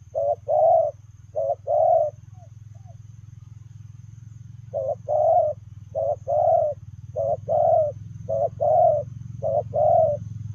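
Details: Running spotted dove cooing 'lèo rồng': three short-then-long coo pairs, a brief pause, then five more at a steady pace, against a fairly loud continuous low hum.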